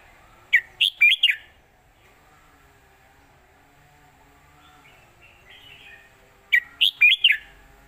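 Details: Southern Thai master-song phrase of a red-whiskered bulbul in the 'khuen chok' style, kept for teaching young birds: two bursts of four sharp, warbling whistled notes about six seconds apart, with faint twittering between.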